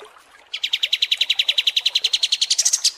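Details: Kapas tembak songbird, long training audio for competition birds: after a brief pause, a rapid stream of sharp repeated notes that climbs slightly higher toward the end.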